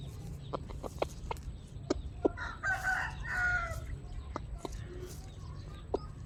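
A chicken gives a single drawn-out, nasal crow lasting about a second and a half, among scattered sharp taps and a low background rumble.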